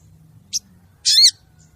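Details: A female crested jay calls the male in this lure recording: a brief high scratchy note followed by one longer harsh, buzzy rasp.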